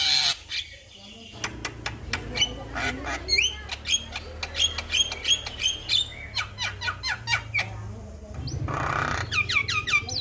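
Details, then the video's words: Male Javan myna in song for a master recording used to set other mynas singing: dense harsh chatter broken by repeated short piping whistles, a burst of noise, then more squeaky descending notes. "Masteran jalak Kebo jantan Suaranya Bikin Burung jalak Anda Langsung Bunyi"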